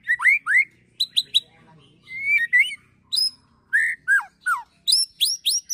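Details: Agitated white-rumped shama ketrekan with cililin and prenjak tir filler, meant to provoke birds: loud rising and falling whistles mixed with clusters of high chips and short buzzy notes, delivered in rapid varied bursts.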